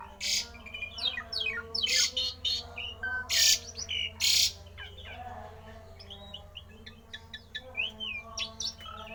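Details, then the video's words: Rare odd song of a Javan pied starling, used to provoke other starlings to sing. Rapid harsh rasping bursts mixed with down-slurred whistles and chattering notes, later turning to softer looping whistled phrases, with a constant low droning hum behind. "jalak uren suara aneh langka di jamin Jalak uren lain panas ikut gacor!!!!"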